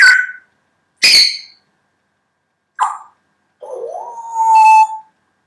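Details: A captive female grey parrot, in her first half year acclimatising to a new home after losing feathers, mixes short harsh squawks with a rising, drawn-out whistle that holds steady at the end.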